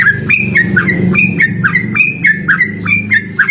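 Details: Yellow-vented bulbul, known locally as trucukan, in lively ropel song challenging a rival: chains of clear, warbled whistles that jump up and down, repeated over a dense low droning background.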